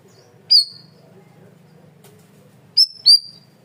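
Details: Loud, clear song of a cream-vented bulbul (cucak rawis, bayeman) recorded for training cage birds: one high whistled note with a falling tail, a long pause, then two more similar whistles in quick succession.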